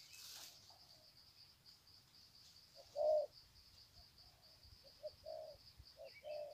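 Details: Wild spotted doves near Sê San on 21 February 2020, greeting each other with long coo sequences. A loud, low, hollow coo sounds at three seconds, then a series of shorter soft coos. A steady high insect buzz runs underneath throughout.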